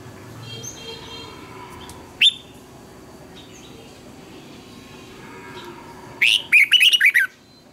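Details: Red-whiskered bulbul training song. A lone sharp note is followed by a long quiet stretch, then a fast burst of about six bright, twisting whistles near the end.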